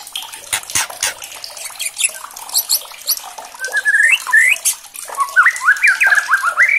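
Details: White-rumped shama song meant to provoke a rival into singing. After clicks and noise, rapid whistled phrases climb in steps, then turn into zigzag notes of quickly alternating pitch, over a continuous watery hiss.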